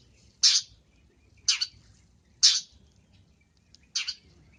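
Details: Long-tailed shrike, lively masteran song: four loud grating, buzzy bursts about a second apart, with sharp starts that quickly fade, and near silence between them.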